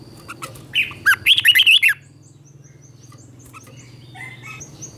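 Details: Red-whiskered bulbul singing in the morning to provoke other bulbuls: one short burst of rapid warbled whistles lasting about a second, then faint distant chirps over a low steady hum.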